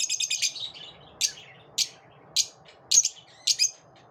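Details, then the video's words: Lovebirds after dawn open with a rapid trill of high notes, then give single sharp chirps roughly every half second. "Love birds after dawn"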